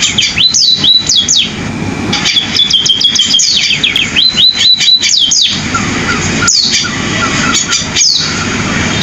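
A munia sings bright, canary-like phrases of quick high chirps and short rising trills, in bursts separated by brief pauses, with faint clicks between.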